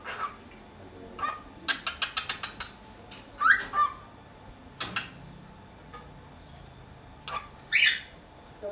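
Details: Pet cockatiel in Dortmund, Germany, gives a quick run of short, clicky chirps, then a few louder warbled, rising notes at irregular intervals against a quiet indoor background.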